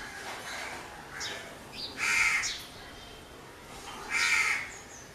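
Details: Crow, a black, aggressive bird, giving harsh, broad cawing calls, two loud caws about two seconds apart with fainter calls between and a few thin chirps in the background.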